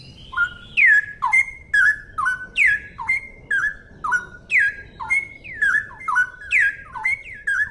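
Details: Cucak rowo, the straw-headed bulbul, in a clear rapid 'ropel gacor' song: bright whistled notes that dip and flatten, repeated about twice a second without a break over near silence.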